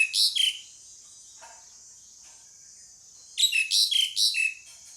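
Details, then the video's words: Repeated calling from a pied myna: a short harsh two-note phrase, a quiet gap, then a longer run of four or five scratchy, slurred squawks over a constant high hiss. "SUARA PANGGILAN JALAK SUREN"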